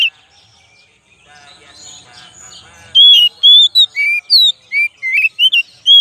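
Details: Oriental magpie-robin song as a lure recording: three seconds of faint, soft background, then a rapid, loud run of varied whistled notes, rising and falling slurs delivered in close succession, roughly three per second.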